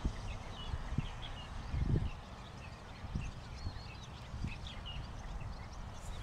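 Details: Oriental pratincoles calling: many short, sharp, chirping notes, often slightly rising or falling, overlap as several birds call at once, over a steady low rumble of wind or distant traffic.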